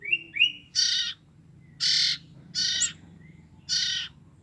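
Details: Two short rising whistles lead into four harsh, noisy rasps, each about half a second long, from young common iora siblings, two weeks old, used to lure their parents.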